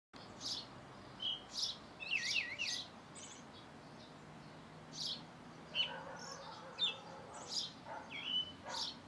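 Thrush song of varied high, clear phrases: short whistles, slurred notes and quick chirps in bursts every second or so, over a soft background hiss.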